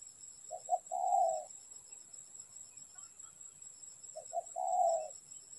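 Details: Spotted dove calling where doves are trapped. Two phrases, each a pair of short soft notes then a long, slightly wavering low coo, are separated by about three seconds of quiet with a background whine.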